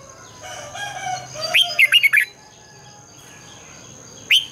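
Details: Morning song of a red-whiskered bulbul in a long, twisting double-voiced style, meant to prompt other bulbuls to sing. A soft low drone comes first, then a quick run of bright chattering notes, and a single sharp note closes it.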